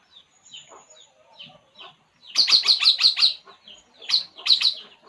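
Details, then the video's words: ['Puling bird at rest gives soft scattered notes, then a loud quick run of high chirps, a pause, and another short burst.'] "burung puling. Inilah yg dilakukannya saat santay"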